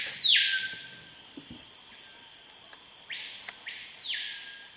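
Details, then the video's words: Screaming Piha (Lipaugus vociferans) in the Amazon near Manaus: an explosive whistle that swoops down and holds, then a loud rising-and-falling arched whistle, over steady high insect buzzing. "The song of the Cricrió, (Lipaugus vociferans)"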